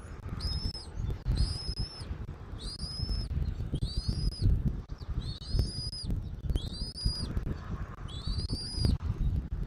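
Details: Eagle at a Southwest Florida nest, 13 January 2024, 14:17. Six high, upslurred whistled notes, each ending in a short rising flick, are repeated roughly every one and a half seconds over a constant rumble of wind.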